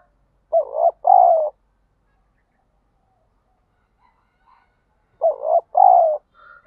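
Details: Decoy spotted dove in daily training to spur fighting and lure wild birds, giving two matching two-part cooing phrases about five seconds apart, each a short coo followed by a longer, falling croo.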